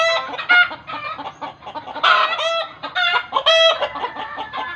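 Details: Loud chicken cackling that village belief links to the birds seeing a ghost: strident, buzzy squawks rise out of a steady run of clucking, with sharp peaks near the start and middle.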